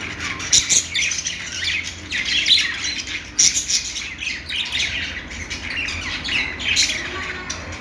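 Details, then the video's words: Budgerigar chirping: constant busy chatter of sharp high chirps, clicks and squawky notes, with brief louder bursts near the start and middle, over a soft steady low hum. "budgie chirping sounds"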